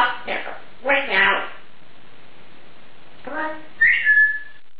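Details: A female Congo African grey parrot speaks in two short, clear word-like bursts, then gives a bright, rising whistle; the room is otherwise quiet.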